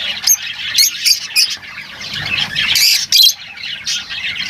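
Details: Lovebirds twittering and squawking, sharp shrill notes breaking out of a steady, high chattering background.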